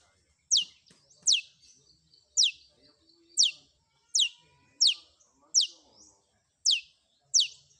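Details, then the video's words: Long-tailed shrike, a loud series of sharp, high notes, each sweeping steeply downward and repeated roughly every second, on an otherwise quiet background. "Suara Isian Kombinasi Cendet"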